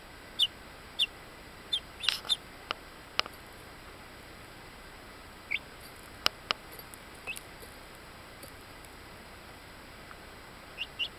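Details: Ten-day-old buff laced black Orpington bantam chicks in Binzen, May 2013: short high peeps scattered irregularly, single or in quick pairs, with a few sharp clicks between them over a steady faint hiss.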